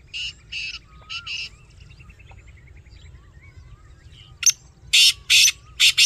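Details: Black francolin calling twice: an opening phrase of four raspy notes, a pause filled with softer chirps of other birds, then a second loud harsh series of about five grating notes.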